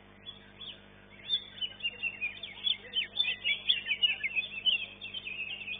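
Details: Competition greater green leafbird in a cage at an Indonesian singing contest, ranked second: after a quiet start, fast scratchy twittering and bright chirped notes build into a continuous high, jumbled warble.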